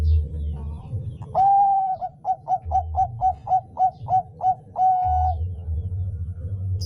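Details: Zebra dove of the Bangkok type singing as a lure for other doves: one sustained coo, a run of roughly nine quick evenly spaced coo notes, and a final long coo over a low background hum.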